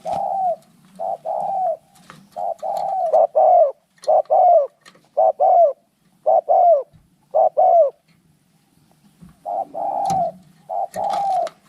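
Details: Spotted doves locked in a fight repeat low two-part coos in quick series, fall briefly quiet, then resume, with faint clicks and rustling in the background.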